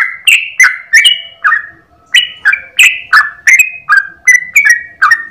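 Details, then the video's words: Sooty-headed bulbul giving a long, energetic morning song meant as a master for other birds of its kind: quick chains of clear, slurred whistles, rising and falling, with one brief pause before the phrase resumes, in a quiet setting. "MASTERAN burung trucukan ropel 1 nafas panjang"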